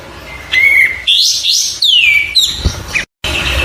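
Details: Oriental white-eye song for training other songbirds: a thin level whistle, then a string of sharp high twitters and a long, falling, slurred whistle, followed by quick chirps.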